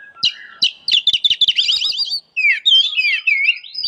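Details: Energetic white-rumped shama (murai batu) song meant as training material for other shamas: sharp clicks and chips, then rapid chattering trills and looping whistled notes delivered without pause.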